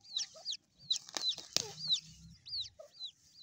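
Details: Baby grey francolin peeping: clear high whistles that rise briefly then drop, given in loose irregular bursts, with a few sharp clicks and knocks and a low hum in the background.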